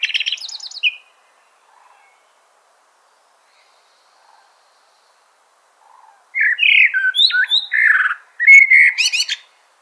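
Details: Common blackbird singing: a short high phrase at the start, then after a long silence a run of fluting, warbling notes around the middle pitches ending in high twittering chirps.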